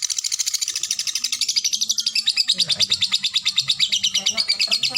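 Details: Lovebird singing ngetik-ngekek style: a sustained high, rapid chatter of regular pulses lasting the whole stretch, with a low murmur of voices in the background.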